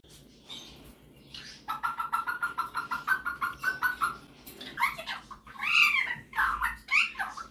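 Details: Pet male superb parrot showing off singing and mimicking indoors: a quick run of even repeated chirps, then warbling, chattering notes sweeping up and down, loud and close.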